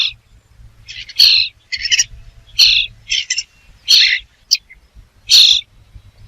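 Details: A rapid series of rasping bird screeches, roughly one every half second, sounds over a steady low hum.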